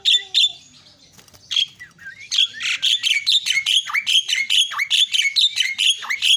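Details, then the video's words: Myna calling as a provocation for a silent myna: loud harsh notes, then a fast steady series of rasping, chattering calls that drop sharply in pitch, repeated several times a second. "terapi jalak macet"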